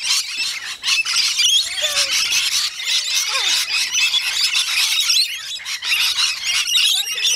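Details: Rainbow lorikeets in a feeding frenzy at a koala village on Magnetic Island, off Townsville, Queensland, Australia: a dense, continuous din of shrill screeching and squawking from many birds at once.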